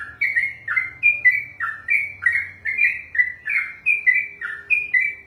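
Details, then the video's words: Kept sooty-headed bulbul in long continuous ropel song, trained for singing contests: about fourteen liquid, slurred chirps in quick succession, each dipping then rising, almost steady rhythm with a faint low hum beneath. "ROPELAN BURUNG TRUCUKAN TERPANJANG DALAM SEJARAH"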